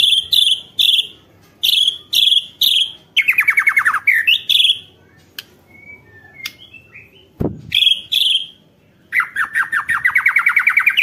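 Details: White-rumped shama song used as a lure for other shamas: fast bright repeated chips, descending trilled runs, a pause with faint notes, then a rising series of quick whistles.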